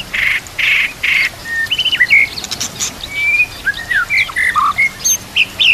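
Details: White-rumped shama singing for training other shamas, with nature sounds and water: three harsh buzzy notes open, followed by scattered whistled and chattering phrases.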